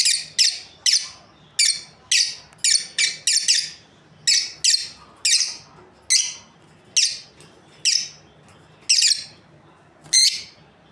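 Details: Lovebirds of a breeding pair chirp continuously, a fast series of shrill, rasping notes roughly every half second or less, some doubled, over a quiet room background.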